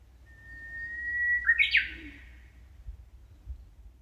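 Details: Clear birdsong from the wooded walkway of a park in Kumamoto's Amakusa area, Japan, in hot early summer: a long even whistle breaks into a short loud cascading warble, then quiet with faint low background noise.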